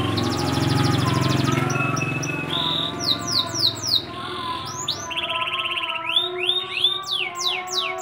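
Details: Local bottle-green canary, a frequent class winner at practice and pre-competition bird contests in Gresik, singing: after a low humming start, rapid repeated downslurred whistles and bright chirped trills, changing phrase every second or so.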